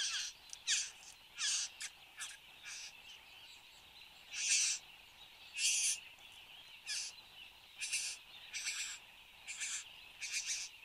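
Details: Satin bowerbird displaying at its bower in Australia, 10 January 2015 at 8:02 am: a run of short, harsh, buzzy bursts, some longer and louder, at uneven intervals over a steady high hiss in the background.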